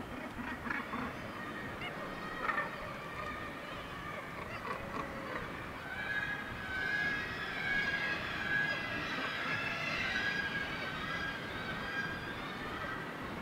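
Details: Northern gannets calling at a breeding colony on the steep cliff face of Syltefjordstauran, Varanger, Norway; a dense, continuous chorus of harsh overlapping cries, swelling midway, over steady background noise.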